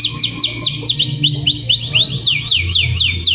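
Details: Active 'cuit cuit' canary song played to push other canaries into singing: a rapid roll of repeated curved chirps that rises into sharper, higher slurs after two seconds, with a low background hum.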